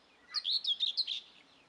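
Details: Juvenile helmeted guineafowl utter a rapid string of about six piercing, high chirps, slightly trilled and wavering, packed into less than a second, in an otherwise quiet setting.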